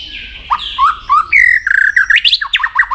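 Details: White-rumped shama singing as training for contests, a flowing string of slurred whistles rising from low to high, breaking into quick choppy notes at the end.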